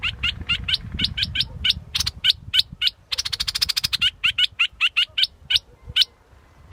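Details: Scarlet-backed flowerpecker repeating sharp high ticking notes at an irregular pace, with a short fast buzzy trill in the middle and a quiet stretch near the end; low background noise throughout.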